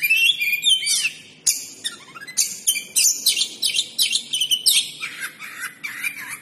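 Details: Kept oriental magpie-robin (kacer) singing full "huwambi" material: loud, fast, varied phrases of high whistles, sweeping slurs and chattering notes, delivered in rapid bursts with brief gaps.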